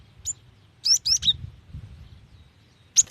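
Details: Female cinereous tit calling to a male: a single high chirp, then three quick sharp, slurred notes, a short silence, and another bright chirp at the end.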